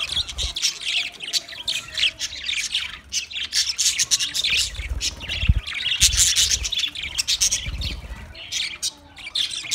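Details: Loud, crowded chirping from twenty pairs of budgerigars, harsh squawky notes and rapid twitters pulsing in bursts over soft low knocks.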